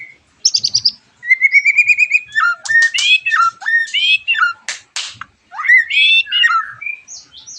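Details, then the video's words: White-rumped shama song as a lure for other shamas: a quick high trill, a long rising buzzy phrase, then varied whistles and sharp clicks with brief pauses. "MURAI BATU GACORAN PANCINGAN MURAI BATU OMBYOKAN ABRAGAN AGAR IKUT NYAUT GACOR"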